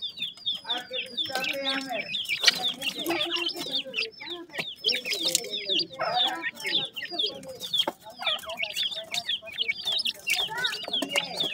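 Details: Grey francolin chicks, teetar, kept and fed in the morning, giving a dense chorus of short, high, downward-slurred cheeps that overlap constantly, with some lower clucking notes underneath.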